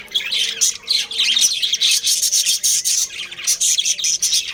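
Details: Captive budgie breeding colony in full chorus: shrill, rapid chirps and scratchy warbles pulse in quick bursts, several birds overlapping throughout.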